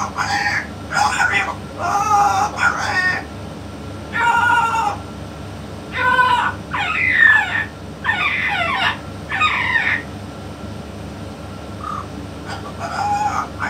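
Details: Talking yellow-naped amazon, called a 'king' of its kind, with a parrot expert; a run of rough, harmonic, speech-like syllables in short bursts, some with bending pitch, over constant background hum.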